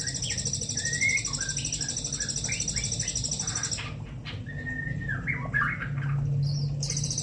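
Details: A 1.5-month-old juvenile white-rumped shama learning to sing gives short whistled notes and slurred chirps scattered irregularly, over a steady high hiss and low hum that drop away briefly around four seconds.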